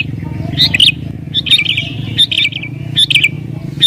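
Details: Sooty-headed bulbul singing agitatedly and incessantly, a song said to provoke rivals and lure wild bulbuls to answer. Short, bubbly, whistled phrases come in bursts about every 0.7 seconds over a steady low rumble like an engine or traffic.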